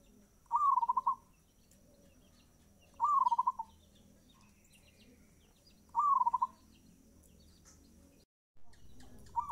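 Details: Fast-tempo zebra dove song, three full phrases of a rising whistle followed by a quick trill of cooing beats, spaced about two and a half seconds apart, a fourth phrase starting at the end after a brief dropout.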